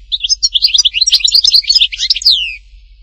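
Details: European goldfinch singing in Htatba, Tipaza: a lively run of rapid, bright, tinkling chirps and short trills lasting about two and a half seconds, ending in a downward-sweeping slur.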